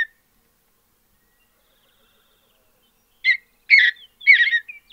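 A Mountain bluebird gives three short, soft warbled phrases in quick succession after a long quiet stretch, each burry and mid-high in pitch.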